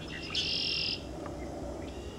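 A Sora gives a single harsh, buzzy note lasting about half a second, followed by a few faint, thin chirps over low background rumble.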